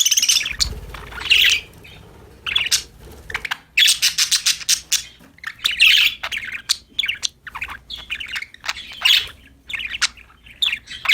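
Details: Pet budgerigars, happy and playing, keep up a lively run of raspy chirps, squeaks and warbled chatter in clustered bursts with brief pauses, plus a soft low thump early on.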